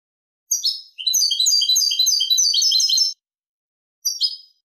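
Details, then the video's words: European goldfinch singing a clean song, recorded in 2023: a dense, fast twittering run of bright, tinkling high notes lasting over two seconds, then a brief final twitter after a pause, with no other sounds. "canto del jilguero limpio"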